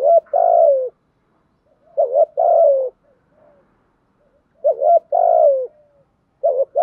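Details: Decoy spotted dove calling to attract wild doves with the structured 'thúc gù' coo: repeated low phrases of a quick rising hoot followed by a sustained, gently falling coo, with short pauses between.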